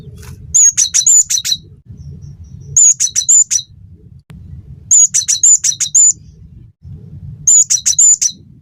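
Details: Cinereous tit singing energetically for a training recording meant to teach caged songbirds and coax them into song. Four phrases of sharp, high whistled notes, each phrase a rapid run of five or six, about two seconds apart, with low background hum.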